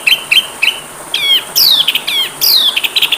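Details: Oriental magpie-robin song for training caged birds: three clipped rising chirps, then long bright whistles that slide downward, mixed with scratchy notes.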